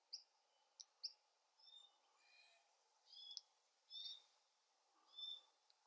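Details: Glossy black cockatoo fledgling during feeding: brief sharp notes followed by longer, drawn-out wheezy calls about once a second, over a low constant background hum.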